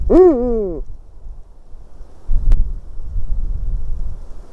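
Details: Eurasian eagle-owl in a white-tailed eagle's nest, 12 March 2019 at 18:26: one loud, harsh, arched call lasting under a second, rich in harmonics, then low rumbling and rustling background.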